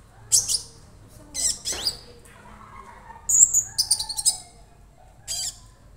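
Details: Young Orange-bellied Leafbird kept in a cage, already singing: spaced high bursts, one rising slurred whistle, then a quick cluster of bright chirps and a final sharp note.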